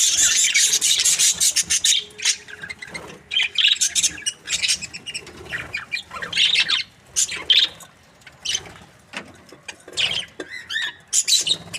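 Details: A happy breeding pair of budgerigars chatters in irregular bursts of harsh, buzzy chirps and squawks separated by short gaps.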